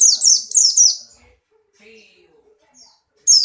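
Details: Buxton's white-eye in strong breeding condition, hopping energetically, delivers rapid high twittering song phrases of descending slurred notes in quick bursts, then a pause with faint background sounds before another burst.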